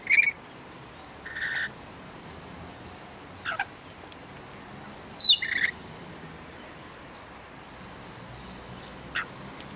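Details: Backyard rainbow lorikeets in Australia giving scattered short, shrill, grating shrieks, four or five spaced a couple of seconds apart, some loud and close, others softer, with steady low hiss between.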